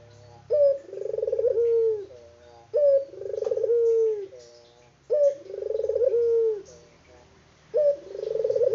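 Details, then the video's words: Local Barbary dove, unedited, cooing steadily: each phrase is a clipped first note and a purring rolled coo that drops at the end, given four times about every two and a half seconds. "BURUNG PUTER LOKAL GACOR ISTIMEWA"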